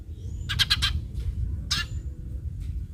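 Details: Eurasian tree sparrow call used to prompt other sparrows to call: a fast run of four harsh chirps followed by one longer rasping chirp, over steady low rumble.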